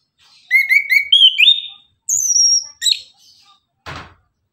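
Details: Orange-headed thrush giving morning 'tembakan' song: four quick repeated whistled notes climbing into a rising slur, then a high thin whistle and sharp chirps, ending with a brief dull knock.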